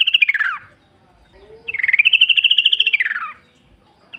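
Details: Forest-recorded sooty-headed bulbul, natural song for luring other bulbuls to respond; a short falling phrase, then a long rapid pulsed warble of nearly two seconds ending in a downward slide, with quiet rustling below.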